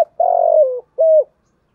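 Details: Spotted dove used as a decoy, cooing Thổ-style to lure wild birds: one long, slightly throbbing coo that drops in pitch at the end, then a shorter even coo, against quiet.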